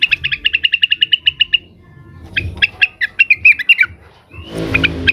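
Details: Leafbird (cucak wilis) in an agitated state, calling rivals with a steady fast series of about fifteen sharp chips, then slurred warbling notes and a final noisy flurry.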